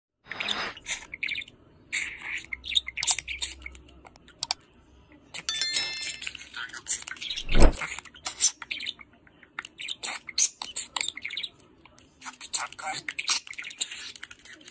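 Budgerigars chatter in quick, scratchy chirps and warbles, with a few clicks and a dull thump.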